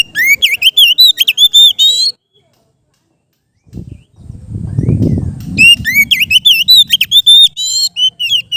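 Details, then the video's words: Relaxed ngeplong song of a captive Oriental magpie-robin: rapid bursts of varied, looping whistles and chirps, a silent pause, then a low rumbling noise before the bright whistled phrases resume. "suara Kacer ngeplong santai"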